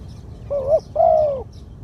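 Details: One 'ku-ang' phrase from a spotted dove with a medium-pitched voice, a decoy-worthy bird: a brief rising coo followed by a sustained, level coo that tails downward.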